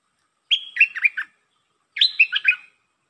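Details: Red-whiskered bulbul, 'lak boen' style song. It opens with a held whistle, then bubbling notes, and the two similar phrases are about one and a half seconds apart. Nothing else is audible.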